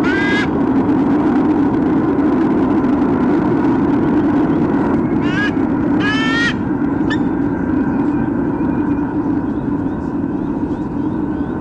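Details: Eagle pair, a parent pair at the nest, squawking before a nest changeover at Sydney Olympic Park, Australia, on 3 August 2014: short harsh harmonic squawks, one at the start and a cluster near the middle, over a steady low hum.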